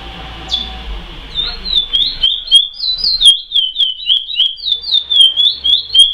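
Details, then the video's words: Chestnut-bellied seed finch (curió) singing the song style called praia: after a second of quiet, a fast run of clear whistled slurred notes, alternately rising and falling, about three to four per second, continuing to the end. "CURIÓ PRAIA CANTADOR"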